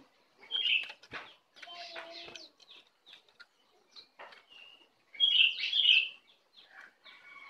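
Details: Wild brown cingcoang (jongkangan) coming in to attack: bright, high chirps and short whistled phrases in bursts, with loud warbling clusters near the start and again around five to six seconds, separated by quieter scattered notes.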